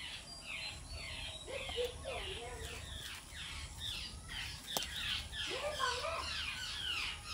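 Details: Baby spiny babbler begging: a rapid, steady series of harsh, squeaky downslurred notes, roughly three each second, over lower warbling sounds and one sharp click midway.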